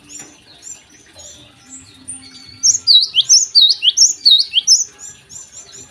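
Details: Java sparrow singing in the morning: soft scattered chirps, then a loud run of about ten high, sharp, down-slurred notes delivered quickly over two seconds before fading back to faint twitters.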